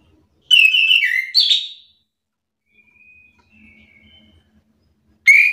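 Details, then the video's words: Orange-headed thrush, agitated and answering another bird's song: a loud burst of slurred whistled notes, then a faint distant whistle during a quiet stretch, ending with a sudden loud whistle. "Anis kembang mu langsung terpancing emosi ikut bunyi sahut sahutan"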